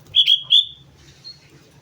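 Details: Sooty-headed bulbul singing vigorously at Mount Slamet: three clear, high whistled notes in quick succession, then a faint, thin trailing note, over a low steady hum.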